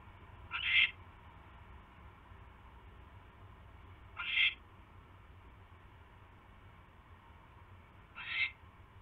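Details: At an owl nest on 29 January 2016, evening, during mouse deliveries: three brief hoarse hisses, widely spaced about four seconds apart, with a quiet hum underneath.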